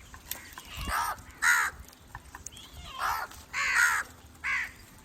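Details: Crow cawing, played to attract other crows: six harsh, hoarse caws in uneven pairs and singles over five seconds, each a short rasping burst, with quiet background hiss between calls.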